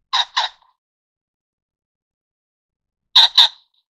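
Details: Ring-necked pheasant of the Taiwan subspecies formosanus, a bird of lowland grassland, scrub and dry riverbeds: two harsh doubled squawks, loud and abrupt, three seconds apart with silence between.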